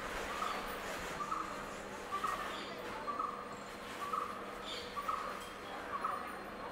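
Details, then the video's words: A male Asian koel gives short, clear mid-pitched notes about once a second, seven in a row, over a steady background hiss and low hum. "Asian koel male"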